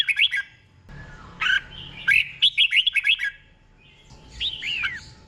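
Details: Slow, clear doubled song of a red-whiskered bulbul for training caged birds. A short burst, then a rolling series of slurred whistles, and two softer downslurred notes at the close.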